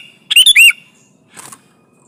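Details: Sooty-headed bulbul in lively song, played to lure and press a rival during trapping: one quick phrase of three clear chirping notes with a rising final slur, then a faint softer rustle.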